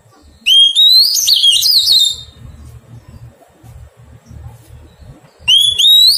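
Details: Oriental magpie-robin, a wild bird being tamed in captivity, sings a loud rising whistle that dissolves into quick, fluttering warbles. About three seconds later a similar upward-sliding phrase starts, with low rumble underneath.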